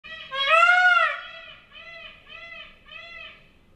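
A peacock gives one loud, drawn-out wailing cry, rising then falling, followed by three shorter, softer nasal repeats about half a second apart.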